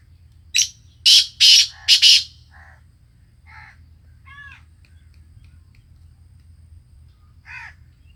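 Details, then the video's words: Sindhi black francolin calling: four loud, harsh, rasping bursts in quick succession, followed by softer scattered chirping notes and a steady low hum in the background. "Sindhi Kala Tetar enjoying and singing"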